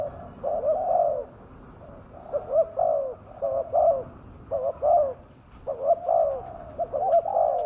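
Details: Fierce-sounding spotted dove call used as a lure for wild doves: a long run of low, slightly wavering coos grouped in short bursts about once a second, with faint background noise.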